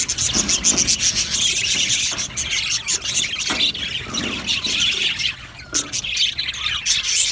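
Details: Budgerigar colony in an aviary, called happy: constant shrill chirping and squeaky chatter from many birds, broken by brief louder squawks and clicking sounds.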